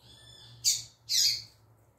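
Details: Female double-collared seedeater, a tui tui zel zel singer, producing two loud, rasping high notes about half a second apart over a faint steady low hum.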